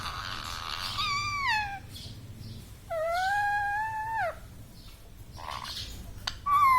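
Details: Talking pet parrot, said to say mummy, papa and radhe radhe, producing two long harmonic voice-like utterances, the first falling, the second a held steady tone, over low indoor hum.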